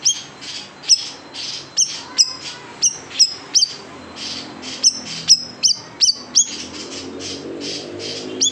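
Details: Large siri-siri bird singing in a 'tembakan pedas' (spicy shots) style, recorded for tutoring cage songbirds: sharp, very high chirps fired in quick irregular bursts, roughly three per second, over a steady hissing background.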